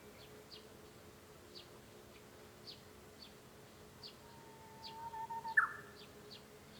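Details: Japanese bush warbler singing, heard from indoors at home, 5 May 2013: a long, level whistle followed by a loud, quick warbled flourish. Another bird gives short high chips about once a second throughout.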